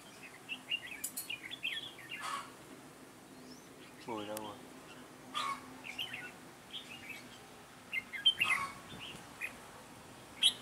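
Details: Red-whiskered bulbul used as a trap decoy, 9 June 2017, calling to pull in wild birds; scattered chirpy phrases, with a brief human voice partway through.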